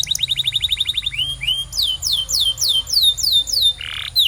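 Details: Singing canary meant to set other canaries singing: a quick, even trill of repeated notes, then slower, loud downward-sweeping whistles, closing with a short buzzy rasp.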